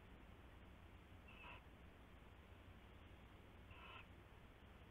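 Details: Owlets in a nest box at night, 7 January 2016, uttering two short harsh screeches roughly two and a half seconds apart amid steady hissing noise.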